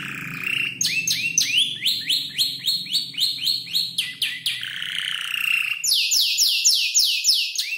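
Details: Canary aged about five months learning to order its song from tutor birds such as ciblek, klik-klik and prenjak lumut; rapid rising-falling whistled notes repeated several times a second, then louder high downward sweeps.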